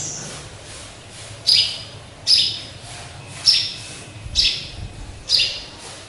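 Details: Sparrow kept as a caged pet and hung up high, where it calls often: five short, high, slightly falling chirps spaced roughly a second apart against quiet low-pitched background noise.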